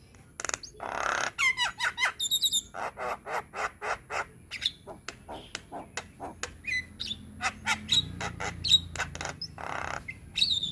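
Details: Young Javan myna in full, varied song: a long fast series of harsh clicking chatters, about three per second, broken by buzzy trills and a few high ringing whistles.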